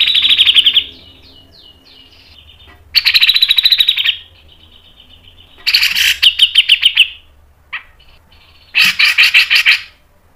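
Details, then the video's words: Cucak jenggot, the grey-cheeked bulbul, delivering long, fast 'ngepik nembak' phrases: four separate bursts of quick, sharp, rattling notes about a second each, linked by soft high tinkling notes, a short chip between the last two bursts. "MASTERAN CUCAK JENGGOT MBESET NGEPIK NEMBAK PANJANG SPEED RAPAT"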